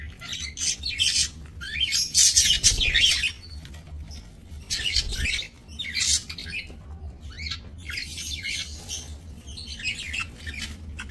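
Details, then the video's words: Budgerigars in a small breeding aviary in Indonesia, recorded 28 November 2024: bursts of scratchy, chattering squawks and chirps from several birds, coming in irregular clusters over a steady low hum. "Ternak Parkit Australian di Aviary Minimalis"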